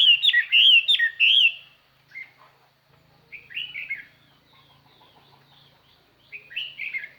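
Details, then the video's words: Decoy Chinese hwamei song meant to lure wild birds, clear and carrying. An opening burst of rich, rapid whistled warbles is followed by pauses and two shorter slurred whistled phrases. "tiêng chim hoa mi mồi hót"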